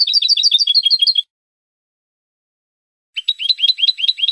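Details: Spanish goldfinch song used to train caged birds: two bright, rapid phrases of high twittering notes, each a little over a second long, separated by two seconds of silence.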